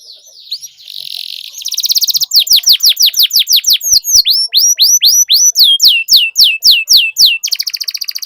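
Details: Canary tutor song, used as a lure to get other canaries singing and rolling: a buzzy opening, then a long run of bright, sharply descending whistled notes repeated about twice a second, ending in a fast rattling roll.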